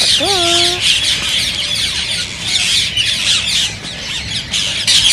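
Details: A busy mass of green ringneck parakeet squawks and chirps, meant to urge other parakeets toward singing and mating. It opens with one lower, bending call from another bird.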